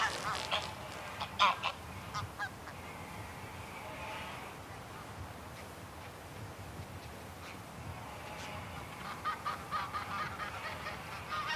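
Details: Greylag geese, a small flock in flight, give close harsh, nasal honks, a burst near the start and another toward the end, with wingbeats and a steady rushing background, then a distant call.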